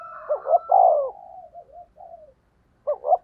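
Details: Decoy spotted dove luring wild doves: two short notes and a long falling coo, then softer trailing coos, and another phrase starting after a brief silence.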